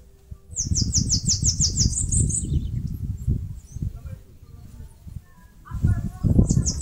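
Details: Bananaquit, known as caga-sebo, nest-building in a mandacaru cactus in northeastern Brazil: one long run of high, rapid, buzzy notes ending in slurred whistles, a short phrase beginning near the end, constant low rumble behind.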